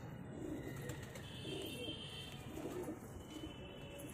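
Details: A pair of Chini pigeons coos, with deep, rolling notes rising out of a dull, noisy background, plus a faint higher whine.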